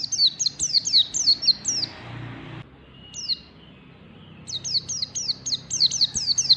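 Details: Forest white-eye singing in the morning, delivering rapid high downward-sweeping whistles in bursts separated by a quiet gap with a single isolated note.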